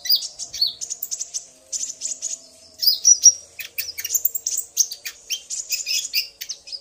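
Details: Common iora pair, a male provoked into lively singing by the female's call, trading dense high chirps and twittering phrases, then a brief pause before another fast burst of sharp notes.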